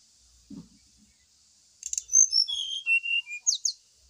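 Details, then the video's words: Pancingan lure song of the brown-chested jungle flycatcher, played at morning dew time: after a soft low thump, a sweet phrase of clear whistles stepping downward, ending in quick high sliding notes, with a continuous hiss behind. "PANCINGAN SRDC WAKTU DI EMBUNKAN"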